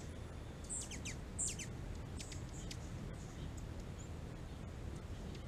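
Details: A hummingbird in California calling: several thin, high, squeaky chip notes in quick bursts over the first three seconds, above a steady low rumble of background noise.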